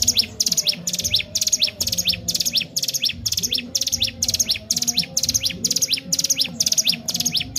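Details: Sunda warbler, called ciblek gunung, singing constantly as a training lure: evenly spaced bursts of high chirps with falling tails, about two per second, a low hum running below.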